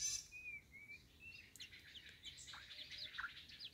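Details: Wild-born white-rumped shama opening with a few clear whistled notes, then breaking into rapid scratchy chattering and twittering phrases, fairly faint against soft background noise.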